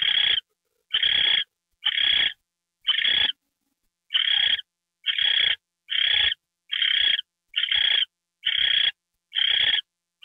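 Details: Owl getting a mouse treat at night, 9:33 PM on January 28, 2013; a steady series of harsh, breathy hisses, each about half a second, repeated a little over once per second.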